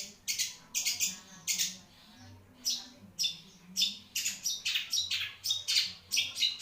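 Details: Long-tailed shrike in captivity giving raspy, grating bursts in quick clusters, sometimes doubled or tripled, separated by brief pauses.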